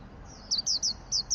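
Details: Brief burst from a 'ngalas' white-eye used as a training lure: four or five thin, falling chirps at a quick pace, high and sweet, with little else audible.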